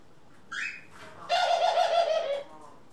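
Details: Pet doves indoors in April 2021, a mix of ringneck, Senegal and hybrid birds. A brief higher squeak comes first, then a longer low, throaty, pulsing coo of about a second.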